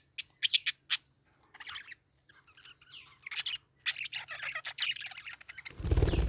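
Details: Sharp, high chirps from a parakeet open the passage, followed by softer chattering warbles and a few drawn whistles, ending in a loud rustling burst, over a faint steady hum.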